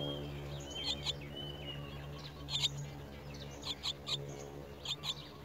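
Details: Chestnut-tailed starling nestlings fed worms by a parent, uttering brief high squeaky chirps in irregular clusters, with a faint drawn-out whistle early on and a constant low background hum.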